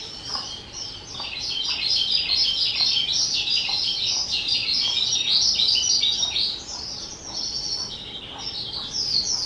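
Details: Two-year-old caged pet skylark recorded on 18 April 2023, pouring out a continuous high, rapid warble of twittering, trilled and chattering notes with hardly a pause, over a low steady background hiss.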